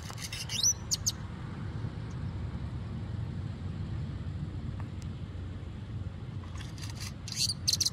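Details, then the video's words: A grackle gives harsh, squeaky, creaking bursts near the start and again at the end, sounding like painful singing, with a steady low rumble of background noise throughout. "Grackle singing painfully"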